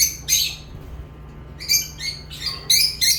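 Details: Lovebirds giving raspy squawking chirps in short bursts separated by brief quiet gaps, over a faint low hum.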